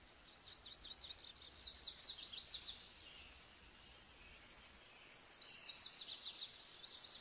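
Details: Olive-backed pipit delivering two high, fast, buzzy trilled phrases of repeated zig-zag notes separated by a brief pause, with faint background hiss.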